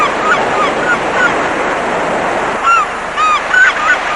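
Gulls give scattered short, nasal mewing calls, some rising and falling, over a steady roar of surf and wind.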